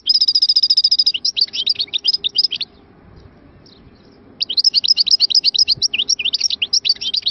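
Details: Algerian goldfinch song from Moknine opening with a rapid repeated trill, then tumbling twittered notes, a pause of nearly two seconds, and another burst of quick liquid chirps and slurred notes.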